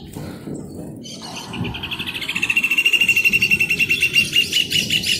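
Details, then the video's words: Song of a rufous hornero: loud, shrill notes start slowly, then accelerate into a pulsing trill that rises in volume, with another bird's high notes above and low noise in the background. "João de Barro Cantando"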